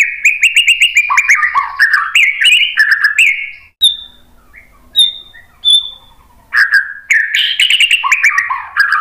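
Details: Lure song of a white-rumped shama meant to draw other birds into replying: fast tumbling phrases of slurred whistles and chatters, a pause with scattered thin high whistles, then another loud rapid burst.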